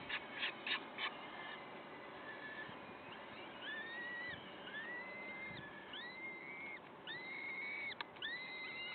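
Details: Peregrine falcons at the nest, Wakefield, 5 May 2021 around 06:55: a few sharp clicks open, then a run of long, level or gently arched whistled calls overlapping one another, with low rumbling noise beneath.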